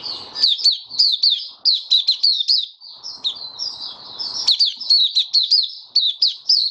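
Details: Singing white-eye in a cage, March 2022 during warm humid weather: fast high chirps falling in pitch, delivered in quick runs separated by a brief softer warble, light rustling beneath.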